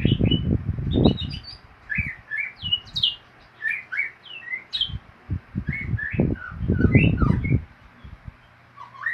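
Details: White-rumped shama singing in the ngeriwik style: varied short whistled phrases, many rising or falling sharply, delivered in quick succession, with heavy low thumping noises in bursts near the start and again around seconds six to seven.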